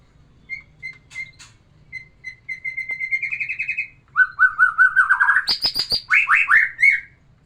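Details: Song of a white-rumped shama used to bring a female into breeding mood: spaced thin whistles, then a quickening rising trill, a sharp high burst and loud rolling warbled phrases.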